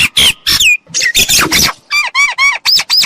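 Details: A myna played as a trapping lure gives harsh, grating squawks followed by a run of ringing, harmonic chattering notes, loud and close with no background noise.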